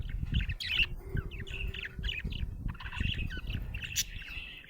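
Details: Happy budgerigar chattering: quick warbling chirps, short whistles and buzzy fragments tumbling together, with a steady low hum and knocking noises in the background.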